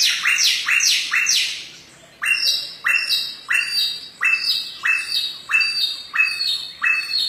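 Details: Samyong bird singing in the forest: a series of harsh, squawky downslurred notes repeated roughly every half second, a brief pause near the two-second mark, then the phrase resumes steadily.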